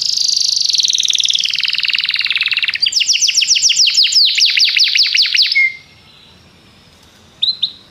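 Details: Belgian canary singing to spur other canaries into song: a long, rapid buzzy roll, then a series of rhythmic downward sweeps, a quiet pause, and two brief high chirps.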